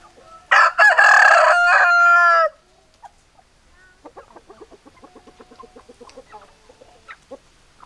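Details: Rooster gives one loud, harsh crow lasting about two seconds, followed by a quieter, evenly paced series of short hen clucks repeating rapidly until the end.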